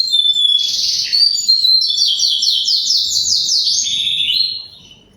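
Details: A canary delivers fast, high-pitched trills and rolls, one repeated-note series following another about four per second, before fading out at the end.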